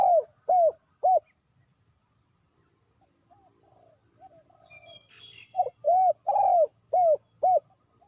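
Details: Decoy spotted dove calling for trapping wild doves: three fast rounded coos, a lull with soft muted notes and a brief high twitter, then six loud coos repeated at a steady pace.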